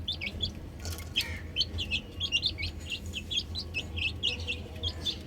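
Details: Many chicks on a rooftop chirp together, a continuous chatter of high, falling peeps repeated several times a second, with a low hum beneath.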